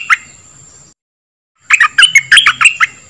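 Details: Dok taeng bird song for training young birds and making birds lively: one lone chirp, a short silence, then a quick burst of about eight sharp chirping notes, with a faint steady high tone.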